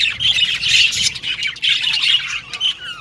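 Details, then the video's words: Budgerigars giving loud harsh squawks and chirps in quick bursts, overlapping chatter from several birds. "Budgies Chirping Sound"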